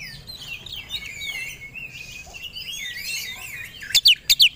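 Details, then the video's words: Captive white-rumped shama provoked into aggressive, fight-ready singing: a thin, wavering whistled phrase sliding between high and mid pitch, ending in three sharp loud high notes. "Pancingan Kacer Agar Cepat Emosi Gacor 3 || Super Gacor Langsung Tarung"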